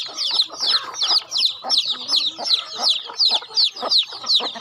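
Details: Farm chickens at feeding time call in quick bursts of shrill, falling peeps, roughly two to three clusters each second, with soft clicks and scratching between them.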